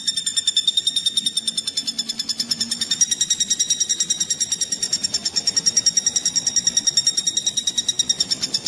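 A Common Flameback gives a high, metallic rattle of rapid, even pulses that runs steadily throughout. No other sounds stand out.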